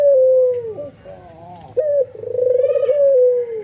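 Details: White albino ringneck dove, excited and nodding, cooing so that other doves are drawn to join in: a short high opening note, then a long steady coo that rolls with a tremor and sinks at the end, twice.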